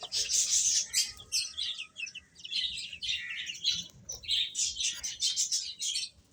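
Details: Chicks peeping continuously while they eat; loud overlapping high chirps come in waves with brief pauses, over a faint low background rustle.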